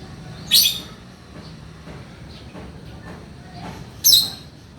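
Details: Male lovebird chattering for use as a master recording: two sharp, high, squawky notes about three and a half seconds apart, separated by near silence.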